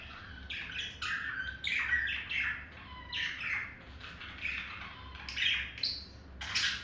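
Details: Pet male budgerigar courting a female: softer chattering warble of descending buzzy notes and squeaks in loose bursts, with a few high thin squeals near the end.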